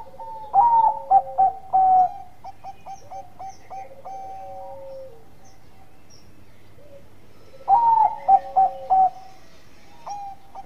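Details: Bangkok-strain zebra dove singing actively, giving its bekur song to draw rivals into calling. Two loud bursts of clipped, ringing coos, each opening with a short rising whistle, separated by a long stretch of fainter repeated cooing notes.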